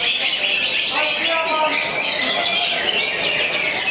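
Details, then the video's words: A greater green leafbird sings a dense, continuous stream of bright chirps and trills, mimicking fast cricket-like phrases at an unbroken pace against a busy background. "Cucak Hijau JANGKRIK BALAP"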